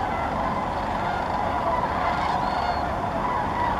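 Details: Sandhill cranes massing in large flocks at Muscatatuck National Wildlife Refuge, Indiana, produce an unbroken wall of rolling, rattling calls, many birds calling at once, with a faint higher tone briefly rising above the chorus midway.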